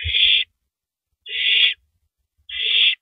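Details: A female owl shreds a big rabbit at night on April 9, 2012, eventually downing it; three loud, noisy hissed screeches roughly a second apart, with light low tapping sounds.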